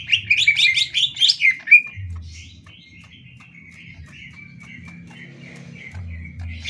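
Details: Greater green leafbird master song for training other birds: a loud burst of quick chirping, warbling notes, then a softer, thin run of repeated twittering notes trailing on, with faint low background hum.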